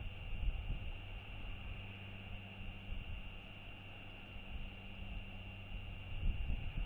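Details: A low, steady engine drone with a constant hum fills the recording, and no animal calls are heard.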